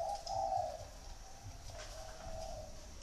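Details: Spotted dove cooing in the "thổ" style: one loud, low, drawn-out coo at the start, then fainter coos that trail off under a steady background hiss.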